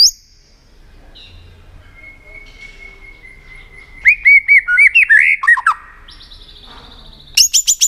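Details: White-rumped shama, tail-flicking 'tạch' song meant to stir rival birds into competitive singing: a long steady whistle, then a quick burst of curling notes and a few bright high chips at the end.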